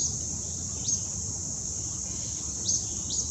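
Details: Wetmore Valley trail, CVNP, Summit County, Ohio, August 26, 2017: a juvenile Acadian flycatcher utters brief upward-slurred notes, one early and two close together at the end, beneath a continuous high insect buzz.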